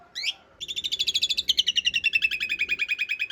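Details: Asian pied starling master recording for training cage birds, in the coarse-fill long-roll style: a short harsh opening note, then a long rolling series of rapid, rattled, slightly descending notes, about two and a half per second, steady to the end.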